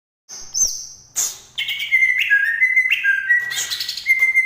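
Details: Green leafbird from Banyuwangi: a high whistled note sliding near the top, then loud rich phrases of clear notes stepping down and holding steady, repeated in quick bursts.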